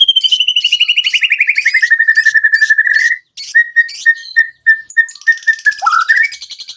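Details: White-rumped shama song used to prompt other birds to sing and show their fills. A long, fast trill starts high and slides lower, followed by evenly spaced whistled notes and a brief chattering finish.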